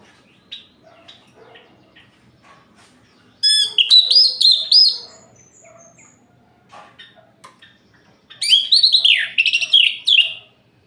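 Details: Night singing of an orange-headed thrush, used to provoke other males: soft scattered chips, then a loud rapid warbled phrase with high slurred notes, another quiet gap, and a second rich, descending, jumbled phrase.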